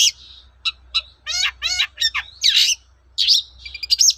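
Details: Long-tailed shrike in vigorous song, intended as a lure so other shrikes respond: a clean mix of short clicks, buzzy rasping phrases and squealing high notes, with a faint low hum behind.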